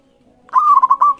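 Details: Lively local zebra dove singing, used as a master to lure other doves into calling: one fluted cooing phrase, a rising note followed by rapid soft pulses, in a quiet background.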